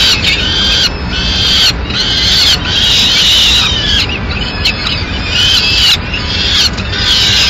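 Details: Female peregrine falcon delivering a pigeon to the nest, Madrid, 6 May 2016; grating, wailing cries come in bursts about once a second with brief gaps, set against steady low-pitched urban hum.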